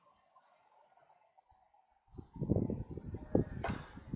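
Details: Near-silence at first, then low muffled bursts like nearby talking and handling sounds with a sharp click, and no animal call heard.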